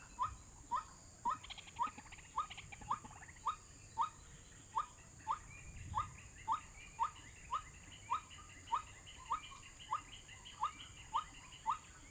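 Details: White-breasted waterhen call played from an MP3 as a trapping lure: a short rising note, repeated steadily about twice a second throughout, over a constant high hiss and faint background noise.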